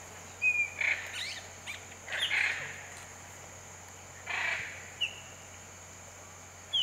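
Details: Hyacinth macaws in the Pantanal: three harsh, raspy squawks spaced a second or two apart, mixed with thin, sharp whistled notes from other birds and a steady high hiss.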